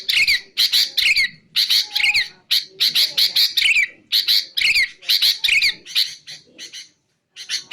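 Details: Sooty-headed bulbul, played for luring and song training: clustered groups of buzzy notes with clear downslurred whistles in many groups, spaced by short gaps, fading toward the end.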